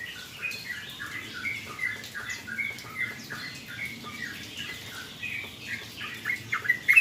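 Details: Yellow-vented bulbul (trucukan) singing after a rain-bath, said to calm it: a busy run of short, bubbly notes sliding downward, closely spaced and growing louder toward the end.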